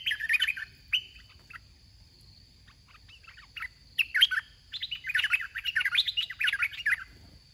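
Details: Caged red-whiskered bulbul calling as a trapping-contest decoy. Chirpy warbled phrases open, followed by quieter scattered notes, then a sustained stretch of busy, tumbling chatter. A thin steady hum is audible behind it.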